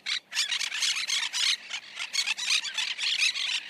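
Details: Monk parakeet in dense, continuous squealing chatter, rapid harsh notes tumbling over each other for nearly four seconds with little pause.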